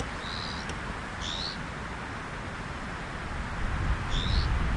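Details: A pied bush chat perched on a plum tree gives three brief, high, thin whistled notes, the second and third slurring upward, over a steady low rumble of wind or distant noise.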